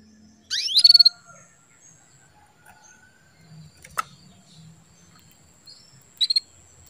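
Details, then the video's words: Caged female canary calling to rouse a male into breeding condition: a sharp rising sweep into a quick rattle of five pulses, then after a pause a click and a second short buzzy burst of pulses; background otherwise quiet. "CUITAN KENARI BETINA MEMANCING BIRAHI JANTAN"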